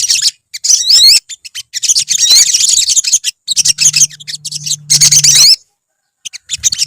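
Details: Olive-backed sunbirds in a colony give busy, high, rapid chirping with rising slurred notes, in bursts broken by short pauses, over a steady low drone in the middle.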